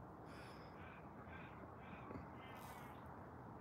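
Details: Two distant ravens on separate trees call to each other on a foggy 2-degree morning, giving harsh, nasal caws about every half second over a steady background hiss.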